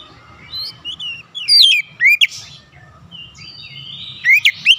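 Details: Oriental magpie-robin calling to others of its kind, which answer back: sharp, upslurred whistled notes and short chirps in scattered bursts, with several birds sounding from different distances over a low background hum.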